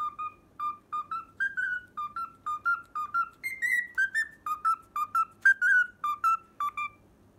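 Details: Cockatiel whistles a tune it has learned, the opening theme of Pythagora Switch, as crisp detached notes about twice a second. The melody climbs to a higher held phrase, then falls back. A soft low hum sits underneath.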